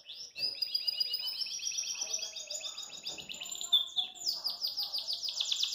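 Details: Caged Belgian canary singing a fast, continuous run of bright trills and rolling tours, high-pitched and shifting through several rapid repeated phrases, while hopping in its cage; Belgian canary.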